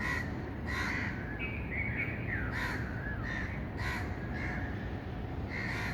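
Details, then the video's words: Regular hoarse, caw-like bird calls sound about every half second to second, interleaved with short whistled notes, over a constant low noise floor. "birds chirping sound"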